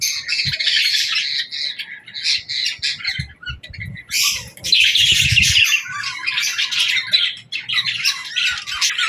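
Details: Budgerigars chirping and squawking in bursts, quieter gaps between louder surges of overlapping warbles and sharp calls, with rustling and tapping in the background.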